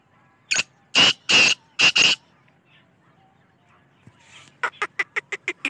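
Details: Kala teetar, the black francolin, uttering its rasping five-note phrase, short then long then a paired ending, followed after a pause by a fast series of about eight dry clicking ticks.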